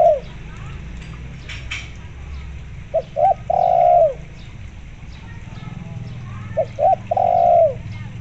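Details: Spotted dove cooing, played with local zebra dove sounds as a lure to prompt caged zebra doves to call: two short clipped notes then a long rolling coo, the phrase repeated about every three and a half seconds over low background rumble.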